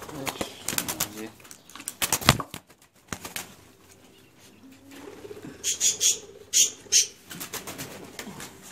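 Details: A newly bought pair of skittish cockatiels in an aviary, not well adapted; wing-flapping, clatter and faint voices, then four short, sharp, high chirps in quick succession near the end.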